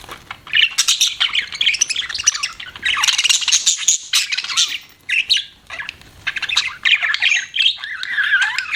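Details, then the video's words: Budgie kept as a pet chattering nonstop, a bright, buzzy warble of rapid squawks and tweets, loud bursts alternating with brief quieter gaps. "BUDGIE CHIRPING SOUNDS"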